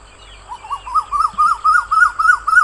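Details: Asian koel giving a run of about nine ringing arched notes that climb slightly in pitch and quicken, each rising then dropping, over a faint steady high whine.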